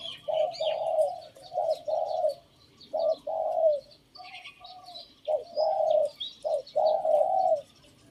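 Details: Cooing from a decoy Spotted Dove, its phrase called not pretty: clusters of deep, rounded coos broken by brief silences, repeated across several seconds, over light chirping from other birds.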